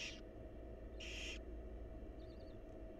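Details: Barn owl chicks in a wild nest box beg as their mother feeds them, giving two short rasping hisses about a second apart, then quiet with a steady low background hum.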